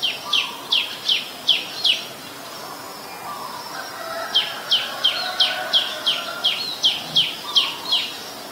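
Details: Ashy woodswallow recorded in Ubon Ratchathani, Thailand, on 17 December 2019, giving two runs of rapid, sharp, down-slurring notes: about five notes, a two-second pause, then roughly a dozen more in quick succession. Faint background murmur.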